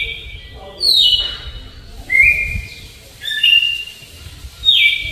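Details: Red-cowled Cardinal singing a slow flute-type song in the Alagoas style, clear flute-like whistled phrases, four in about five seconds, some sliding down in pitch, over a faint low background hum.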